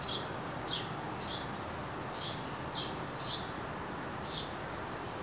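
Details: Sparrow in the early morning giving short, sharp chirps, six spaced irregularly over about five seconds, with a steady high-pitched whine running underneath throughout.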